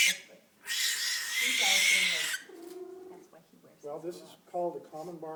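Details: A barn owl, a wildlife rehab-and-release bird, gives one long, harsh, hissing scream lasting nearly two seconds, described as saying hello loudly, followed by a person talking.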